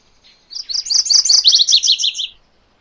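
A MacGillivray's warbler sings a quick two-part phrase: a run of bright, rolling high notes, then a slightly lower series of sharper repeated notes, lasting about two seconds.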